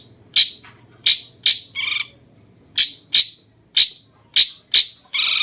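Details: Cucak cungkok bulbul, 'rasa jenggot' style, a master voice for champion songbirds: loud sharp chips about every half second, mixed with a couple of short buzzy rasps, over a constant thin high tone.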